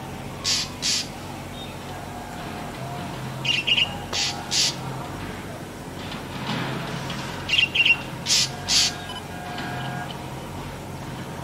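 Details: Black drongo (Dicrurus macrocercus) in its natural habitat gives harsh, metallic, high-pitched notes in bursts of two or three, about every four seconds, over a faint low hum.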